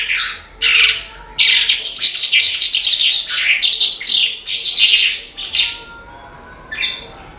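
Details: Australasian bush lark singing vigorously, known locally as branjangan: dense bursts of scratchy, buzzy and chattering high notes in rapid phrases, with short pauses between bursts and a softer trailing phrase near the end.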